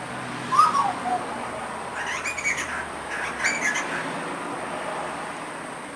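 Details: A wild young grey butcherbird, about 4 months old, in Australia, practises a baby version of the adult call outside a window: one clear whistled note sliding downward, then a few softer, rougher notes over a steady hiss.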